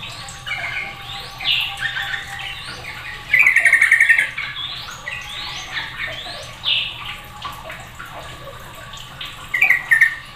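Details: Sooty-headed bulbuls, several birds calling noisily together as one sets off the others. Bubbly, warbled phrases and a rapid chattering burst near four seconds, repeated irregularly, over a steady low hum.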